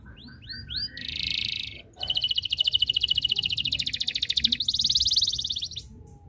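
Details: Canary singing persistently to draw rival birds into song: opening curved whistled notes, then a buzzy rattle, then a long rapid pulsing roll that shifts pitch midway into a higher trill, with faint background hum.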